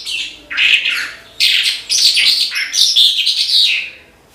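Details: A branjangan (Horsfield's bushlark) in gacor song gives quick high phrases: a scratchy opening, then a buzzy, rapid outpouring of twittering and whistled notes that fades toward the end.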